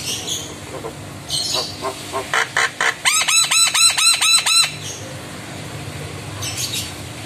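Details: ['Javan myna singing a full, lively song while nodding its head in reaction to lure calls from another myna: a few harsh rasping bursts, then about eight loud rising whistled notes repeated quickly in a steady run, with a faint hum behind.']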